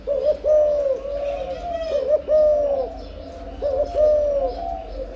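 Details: Low, rounded cooing from a spotted dove during breeding, three phrases of a brisk double note followed by a long mellow coo.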